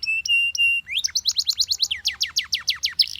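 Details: Yellow Belgian canary song opening with two long steady whistled notes, followed by a quick series of high downward-sweeping syllables rolling together in a lively trill.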